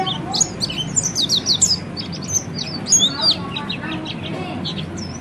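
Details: Oriental white-eye, or peleci, giving ngeriwik training song: bursts of high chirps and bright slurred whistles, a quieter gap, then another burst, against faint background hum.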